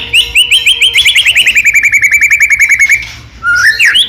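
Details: White-rumped shama, Medan type, sings hard as a lure for other shamas. A fast run of clipped repeated notes falls slowly in pitch for three seconds, then loud sweeping whistles follow.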